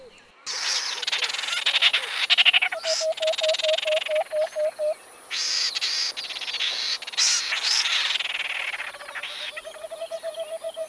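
A pair of Acacia Pied Barbets duetting: dense scratchy, rasping bursts over a steady run of low, quick nasal hoots, repeated about twice a second.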